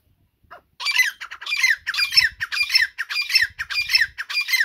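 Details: Grey francolin giving harsh, grating squawks in rapid bursts, about two each second, each burst rough and broadband; quiet lead-in before the calling starts, with faint low thumps beneath.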